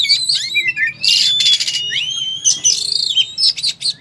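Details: Oriental magpie-robin singing in combative fighting form, spewing learned material: swooping whistled notes, then harsh buzzing rattle bursts and bright clear slurs, delivered quickly with almost no gaps; a faint low hum underneath.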